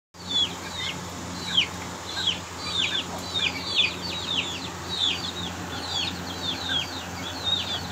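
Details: Aseel chicks fighting, giving a long series of sharp, high, downward-slurred peeps repeated several times a second, loud and insistent against a low steady hum.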